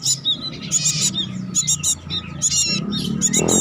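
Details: Short burst of high, buzzy trilled phrases from a home-kept bar-winged prinia, several quick clusters of scratchy notes with a low hum and some rustling at the end.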